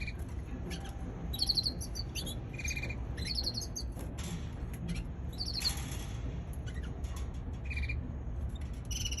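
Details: Young canary giving scattered bursts of high, rapidly pulsed chirps and short trilled notes, some paired, spread across the recording over a steady low rumble of background noise.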